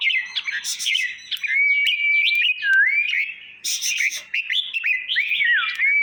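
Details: Red-whiskered bulbul song used to rouse caged birds: lively warbling of slurred whistles, some sustained pure tones and curling rising-falling notes, broken by bursts of sharp, high chips.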